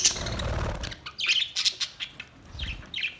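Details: Budgerigars recorded 22 May 2023 give a string of short, sharp high chirps, roughly four per second, after an opening rustle with low rumbling noise.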